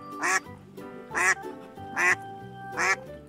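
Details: Duck repeating four raspy, nasal quacks roughly every 0.8 seconds, with soft music playing underneath.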